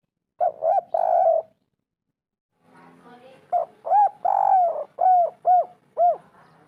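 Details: Spotted dove 'kuk 3' call meant to make lazy birds answer: a double coo with a long coo, a pause, then a full run of short and long cooing notes ending in three quick arched coos, faint background murmur.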